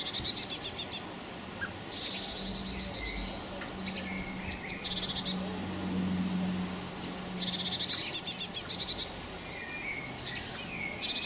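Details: Young blackbirds calling on 26 May 2018, with two loud clusters of fast, sharp, high-pitched pulses about seven seconds apart, softer thin notes between them and a faint low drone underneath.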